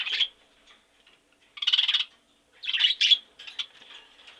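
Budgerigar chattering in short, scratchy warbled bursts, high and buzzy, about four bursts in under five seconds with brief quiet gaps.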